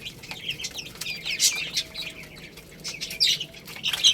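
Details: Young chickens chirping over rice: overlapping thin high peeps, a few loud emphatic calls rising above the group, and light rustling.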